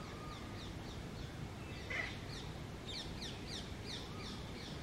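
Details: Two male Indian ringneck parakeets fight over mango in a tree, struggling for dominance; quick harsh, downslurred screeches repeat in a rapid run, thickest after the third second, over a steady low rumble of outdoor noise.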